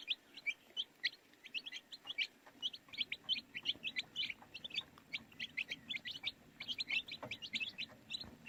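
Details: Baby chicks chirping in a lively flock, sharp high peeps repeating rapidly and overlapping, with some soft knocks and rustling in the background.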